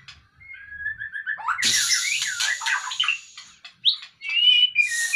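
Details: Caged white-rumped shama, taken out of its cage to shed fat, sings: a run of clear rising whistles, then loud rasping, chattering notes and more high whistles, with a faint low hum underneath.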